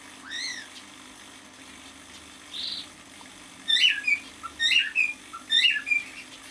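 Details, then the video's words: Six-month-old male cockatiel indoors: a soft whistled note and a faint buzz, then several sharp, chirpy whistled bursts spaced about a second apart, rising quickly and dropping. "Песенка КОРЕЛЛЫ-НИМФЫ №1."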